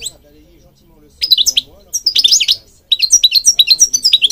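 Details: European goldfinch song, intended to train birds: after a quiet start, bursts of liquid twittering and slurred whistles, then a steady series of quick repeated chirps.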